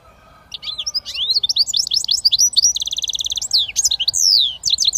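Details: British goldfinch mule hybrid singing switty: lively twittered phrases of sharp sweeping notes, a rapid buzzing trill in the middle, then further chirps and a drawn-out descending note before quick closing twitters.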